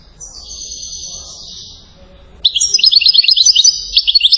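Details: Goldfinch from Settat, Morocco, a rare chain-style (salasiyat) singer: a faint drawn-out buzzy note, then a loud outburst of quick, high, jangling twitters repeated several times a second.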